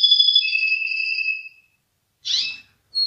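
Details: Russian canary singing: long, pure, steady whistled tones held for about a second and a half, then a pause and a short bright burst of notes.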